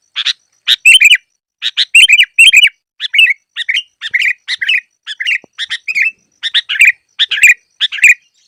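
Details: Lure recording of sooty-headed bulbul used for trapping. A steady stream of sharp chirps and liquid, downslurred phrases comes in paired and tripled bursts roughly every half second, with no other sounds.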